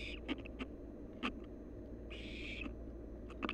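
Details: One long, breathy hiss of about half a second from a wild barn owl nestling at its nest, surrounded by scattered sharp taps and scraping clicks of movement.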